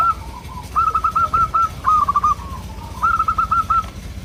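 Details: Zebra dove of local type, its soft melodious song used to draw answers from local birds: quick trilled coo phrases of several even, bouncing notes, repeated three times with brief lower notes between.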